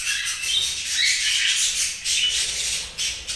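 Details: Several budgies chirping together in a dense, continuous chatter of high, scratchy warbles and squeaky notes, rising and falling in loudness without clear pauses.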